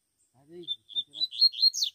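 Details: Wild double-collared seedeater in the bush: short high piping notes lead into an accelerating, sharp twittering phrase, while a man speaks briefly in a low voice beneath the first notes.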